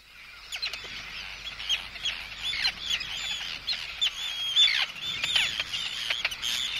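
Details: Arctic terns recorded close up giving anxiety and threat calls at an intruder, with chicks calling: harsh, grating descending cries overlap rapidly with thin high whistles and clicks, building into a steady, excited chatter.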